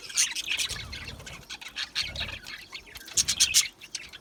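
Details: Small Australian parrots, budgerigars, give clusters of bright piercing chirps separated by brief lulls, with softer chattering and faint low rumbles in between.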